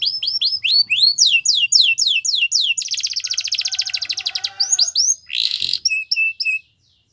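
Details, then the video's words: Yorkshire canary training song: quick rising chirps, then a fast, rolling buzzy trill, ending with more bright, high notes; no other sounds. "Yorkshire Canary Singing | Canary Training Song"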